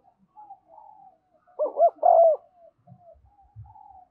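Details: Spotted dove kept as a lure for wild birds, giving 'thúc' and 'gáy' calls: soft drawn notes build into a loud, deep, rolling coo phrase, followed by a few faint, low thumps.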